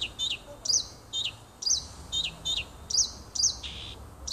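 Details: Nightingale in song in a small wood beside a house, 30 June 2015: steady run of bright chirped notes repeated roughly twice a second, with a faint low hum underneath.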